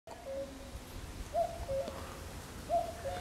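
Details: Common cuckoo calling in an acacia grove on 13 June 2020: faint two-note falling 'cu-coo' phrases, higher note then lower, repeated about every 1.3 seconds over a low background rumble.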